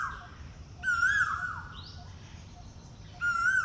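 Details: Male Asian Koel making breeding calls in spring on the outskirts of New Delhi: two loud, clear, wavering whistled calls about two seconds apart, with faint higher chirps from another bird between them.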